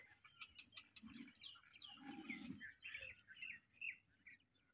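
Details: Grey francolin chicks, newly arrived young birds, giving high, thin chirps and short downslurred peeps in quick irregular bursts. A low, soft humming sound swells twice underneath.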